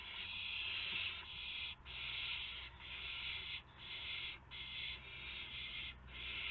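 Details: Owls at a nest with two owlets, past midnight on 19 March 2016, as adults deliver a gopher and mice; long, loud, harsh hissing screeches run almost without a break, split by short gaps, over steady low rumble.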